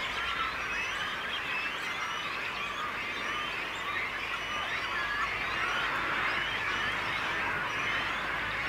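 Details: A dense, unbroken din of harsh, overlapping squawks and croaks from many great cormorants together at Nallıhan bird sanctuary, Turkey, 2016, with no pauses and no other clear sounds.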